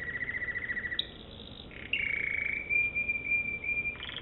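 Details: American Singer canary song: a pulsing trill, a pause, then long steady whistled tones broken by short rolls and a final higher phrase.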